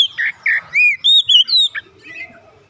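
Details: Oriental magpie-robin, an untrained bird that readily starts singing: full, rich whistled notes, some mellow and low, others higher and sliding, about six phrases in under two seconds, then quieter trailing notes.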